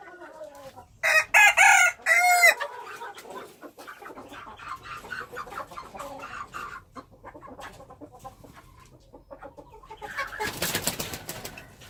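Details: Wild chicken gives a loud, ringing crow of about one and a half seconds, followed by softer scattered clucks and a brief burst of rough noise near the end.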